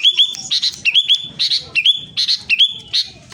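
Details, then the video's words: A sooty-headed bulbul (kutilang) in Klaten, Central Java, sings loudly and persistently in bright, liquid whistled phrases with quick rising slurs and bubbly notes, about twice a second. "Suara kutilang gacor ngotot pancingan kutilang malas Bunyi"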